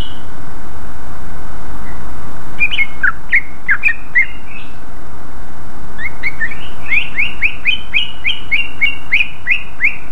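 A greater green leafbird sings bright, sharp whistled notes in quick rising bursts, about three per second, over a steady low hum.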